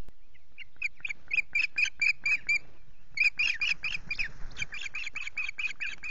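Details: Ospreys at RSPB Loch Garten on a misty morning after the ringed male fished well; bright, clipped chirps repeated briskly in two bursts separated by a short break, the second run continuing to the end.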